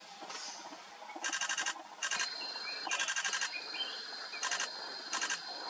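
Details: A female black-naped monarch in Dosdewa Forest, Karimganj, Assam, India, in October 2022 gives short bursts of rapid, harsh, rasping notes, about six in under six seconds, over a thin steady insect whine and faint forest chirps.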